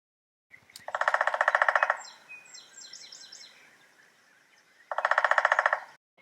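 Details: Downy Woodpecker drumming, beak beating a hollow tree about 17 times per second to find other woodpeckers and claim the tree, in two rapid, even rolls about a second long, with high chirps and whistles from other birds between them.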